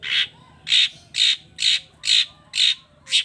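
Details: Long-tailed shrike singing a combination song with fill-in phrases; seven harsh, rasping bursts repeat roughly every half second, evenly spaced over a quiet background.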